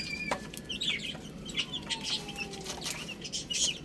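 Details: Chicks at a spinach meal let out scattered high peeps between sharp clicking pecks, with a quiet background.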